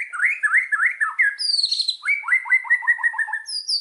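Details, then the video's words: Indonesian white-rumped shama lure song, meant to set birds singing: a string of quick rising slurred notes repeated in a series, a high sweeping whistle, then another run of rising notes and high whistles. "Pancingan burung murai batu"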